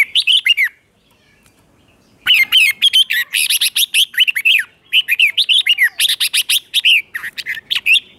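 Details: Red-whiskered bulbul song in the Thai 'double' style, played to teach young birds to copy: rapid bursts of bright, warbled notes rising and falling, delivered in phrases with a pause of about a second and a half after the opening phrase.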